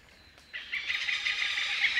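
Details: Oriental pied hornbill giving a loud, harsh, hoarse "kaek-kaek-kaek" cackle of rapid repeated notes, about seven a second, after a brief quiet start.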